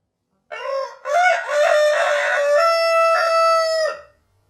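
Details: Slowed fourfold, a rooster's crow opens with a brief rough note, then a long harmonic call that stays level for about three seconds before dropping off sharply into silence.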